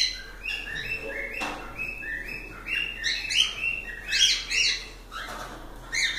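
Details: Pet cockatiels chirping: a run of short harmonic chirps, some flat and some rising, with louder clustered bursts toward the end and a faint low hum behind.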